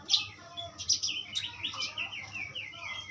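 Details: Quieter Asian pied starling phrase, a sharp squeak followed by a string of slurred, downward whistled notes about three per second, with background hiss.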